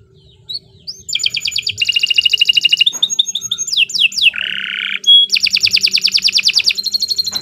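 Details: Canary in extended gacor song for training young birds: loud buzzy trills, a few swept notes, a low harsh rattle, then another long fast trill of evenly repeated notes.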